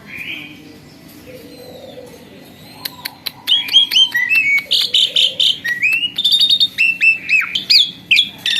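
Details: Kept starling, formerly skittish, now tame and in full voice: a quiet start with a soft whistle, then rapid clicks and repeated looping whistles and slurred notes about twice a second, growing louder.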